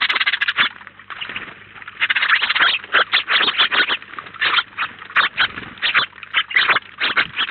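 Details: House sparrows, a flock of about 19 feeding together at Collado Villalba, produce loud, insistent chirps one after another, closely packed and overlapping for the whole stretch.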